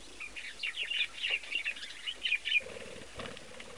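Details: Young chick in an indoor nest made from an old cabinet, giving a run of high, thin peeps in short pulses for about two and a half seconds; after that comes a lower, muffled sound, possibly rustling.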